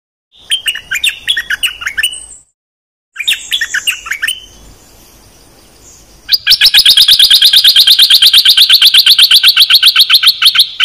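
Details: Bulbul kept as one of three decoy birds sings bright, bubbly chirped phrases, then after a short break a loud, fast run of high, evenly repeated notes, almost three per second.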